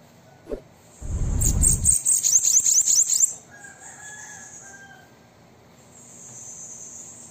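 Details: Brief bananaquit song, meant to stimulate a kept bird to sing: a short, fast series of shrill high notes partly covered by a loud rushing noise, followed by faint thin tones and hiss.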